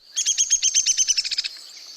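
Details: Downy woodpecker (Dryobates pubescens) whinny call, Lake Tahoe: a rapid, high run of about a dozen sharp notes that quicken slightly and drop in pitch over a second and a half.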